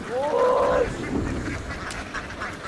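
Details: Laying ducks in Vietnam, a flock running across a field down onto a boat: one loud, nasal, drawn-out call that slides downward over almost a second, followed by fainter scattered quacks from the flock.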